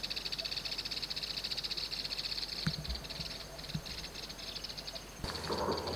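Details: Yellow-eyed babblers, a family group perched atop grass at Dakdam in Mondolkiry province. A fast run of high pulsed notes lasts over two seconds and then breaks into a few isolated calls, ending in a rustling noise.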